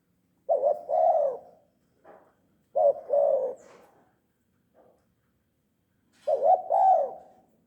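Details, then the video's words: Tame spotted dove (tekukur), calling actively. Three low cooing phrases, spaced roughly every three seconds; each is a brief note followed by a longer, wavering coo. Soft short notes fall between phrases against an otherwise quiet background. "Burung tekukur gacor jinak"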